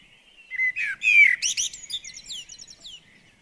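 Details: Common blackbird singing beside a garden bird table: a few mellow, slurred whistles, then a quick series of thin, chattering high-pitched notes that trail off.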